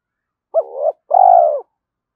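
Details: Spotted dove cooing early in the morning to spur rivals to fight and to lure them in: one clean two-part phrase, an abrupt rising-then-wavering note followed by a prolonged hollow coo that tapers downward, with nothing else audible.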